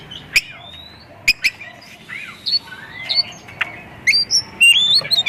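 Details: White-rumped shama singing as a lure recording to prompt other shamas to sing: scattered sharp clicks and chips between sliding whistled notes, rising whistles grouped toward the end, over a faint hiss.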